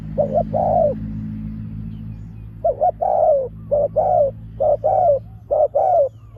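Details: Spotted dove kept as a lure for wild doves, cooing in its sharp 'pak khruen' style: a low hum alone at first, then a string of clipped two-part coos, each short stab followed by a longer falling note.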